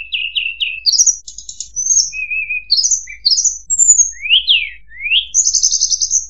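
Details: Lure song of a Sunda robin, known as tledekan or sulingan gunung, for training White-rumped Shama to copy: three fast chips, rising whistles, buzzy trilled notes, a low steady whistle, sharp upslurs and a closing buzzy rattle, no other sounds.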